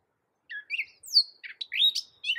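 Gray catbird singing a quick, disjointed string of squeaky, scratchy and whistled phrases, each different, separated by brief gaps; no other sounds.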